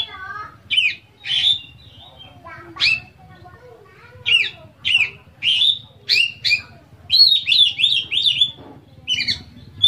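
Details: Oriental magpie-robin (kacer) singing a full isian gacor song to spur other kacer to sing along; dense varied whistles, quick slurred notes and a rapid run of four trilled phrases near the end, over faint low hum.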